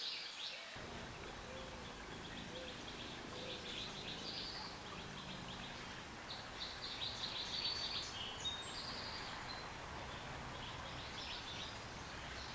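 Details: Nestling California scrub jays calling from the nest, filmed 25 April 2015 with a GoPro Hero3+ Black: raspy, buzzy high bursts repeated in quick uneven runs over steady background hiss.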